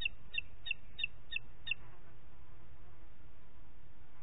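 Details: Booted eagle calling in Parc Natural dels Ports on 27 June 2021 at 09:06: a quick series of six high, sharp, whistled notes over under two seconds, then only a steady low background hiss.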